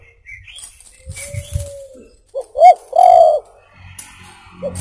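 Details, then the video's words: Spotted dove (tekukur) song used for luring birds: a single phrase of two short coos and a long coo after a faint thin whistle and some low knocks. "SUARA BURUNG TEKUKUR COCOK UNTUK PIKAT(buat masteran)"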